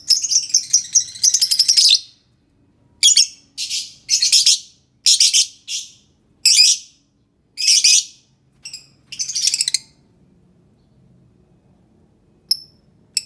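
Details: Lovebird song meant to make silent lovebirds sing: repeated loud, harsh chattering bursts, each about half a second long with short gaps, then faint isolated high chirps near the end.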